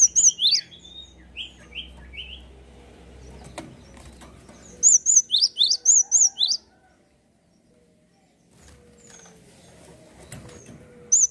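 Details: Java sparrow in lively song, meant to encourage other birds to sing. High ringing chips come in bursts: a run at the start, a longer string of level and rising notes in the middle, then a pause and one more note.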